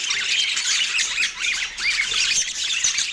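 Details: Pet parakeet at morning feeding time in autumn, producing rapid high warbles with short rising and falling squeaky notes, a continuous chirping chatter with no gaps.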